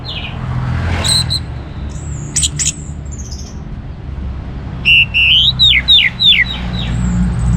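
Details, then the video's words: Orange-headed thrush singing, meant to stimulate other birds to sing: a few high sharp notes early, then a run of clear descending whistled slurs near the end, over a steady low rumble. "ANIS MERAH Gacor Untuk Memancing Burung Jadi NGeplong Bahkan Teler"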